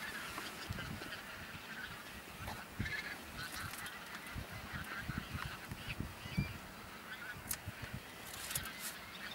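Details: Wild bean geese numbering a couple of thousand in a field on Texel, Netherlands, 22 November 2014, half the flock flying off. Continuous massed honking over gusty low rumbles and occasional sharp knocks.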